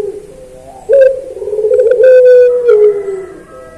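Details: Training master of a puter dove (collared dove) in pelung style: a soft lead-in, then a loud, long, low coo held about two seconds and easing downward, with scattered clicks.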